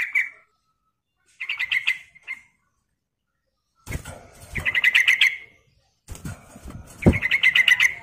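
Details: Female sooty-headed bulbul calling the male: short bursts of fast, chattering notes, about four per second, ending in a brief rising trill. Dull thumps and knocks sound under the later bursts.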